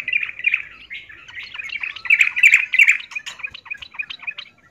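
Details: Female yellow-vented bulbul calling a male, in breeding condition; a continuous rapid chatter of buzzy, scratchy notes with sharp clicking accents, slightly louder toward the middle.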